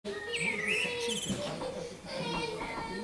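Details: Common starling (Sturnus vulgaris), recorded 20 May 2016, singing a dense jumble of slurred whistles, clicks, rattles and wheezy harmonic notes, shifting quickly in pitch, with a steady background hum.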